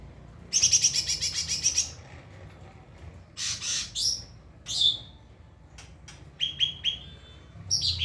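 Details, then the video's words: Training song of a white-rumped shama, used to teach other birds: a fast rattling trill of about a dozen notes, rasping downslurred sweeps, sharp clicks, and three rising whistles before a final harsh burst. "Masteran murai batu"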